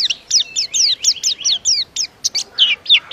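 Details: Indonesian white-eye in captivity giving a brisk string of high, downslurred chirps about four per second, against light background hiss.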